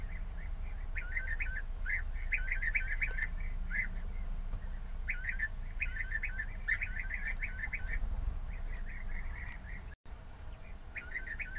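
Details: European bee-eater flock calling in bursts of rapid rolling trills, clusters separated by short gaps, over a low rumbling background.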